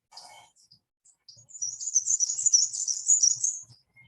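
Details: Black-and-white Warbler, a bird of Michigan deciduous or mixed forests, singing a quick run of high, thin, squeaky two-syllable notes for about two seconds, like a squeaky wheel turning.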